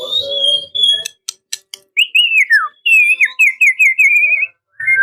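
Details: White-rumped shama singing to draw out a rival, starting with a human voice and clicks, then clear wavering whistled phrases, one dropping steeply, followed by a long trilled whistle.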